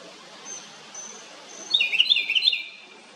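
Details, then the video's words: Loud noise from a small house wren: thin high faint whistles at first, then a sudden fast chattering burst of bright repeated notes for about a second. "A little bird(house wren) makes a LOUD noise. 작은 새가(굴뚝새) 큰 소리를 내네요."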